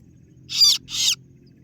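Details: Lure call of the kaso-kaso bird (singo barong), meant to draw in rivals: two harsh, raspy 'ciet ciet' notes in quick succession, each dropping slightly in pitch, over a faint low hum.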